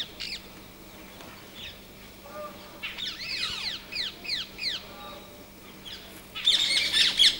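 Grey partridge giving harsh, creaky calls in quick runs of falling notes, ending in a loud grating burst, over a faint steady hum.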